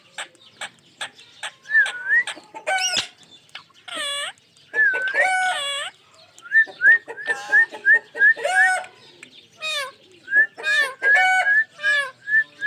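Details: Pet ringneck parrot whistling and calling: clipped rising whistles repeated in quick runs, mixed with ringing harmonic squawks and short clicking notes, nearly three sounds a second.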